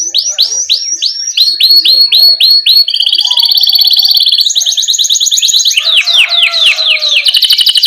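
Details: Vigorous canary song in rolling style, used to tutor young chattering canaries; clear downslurred whistles repeat about four per second, then switch to rapid buzzing rolls and looping swept notes.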